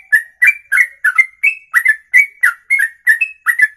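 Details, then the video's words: Bird in ropelan song, one breath stretching beyond two minutes; steady run of clipped whistled couplets with occasional higher flat whistles, roughly three notes each second, clear and dry. "Inilah Ropelan Sekali Nafas 2 menit lebih"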